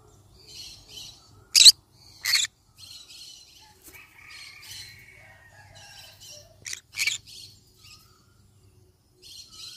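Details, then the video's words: Yellow-sided conure parrot making rasping, noisy chirps and two sharp loud screeches, with softer scratchy notes between them and one short thin whistle; a low steady hum runs in the background. "Yellow sided conure parrot bird sound"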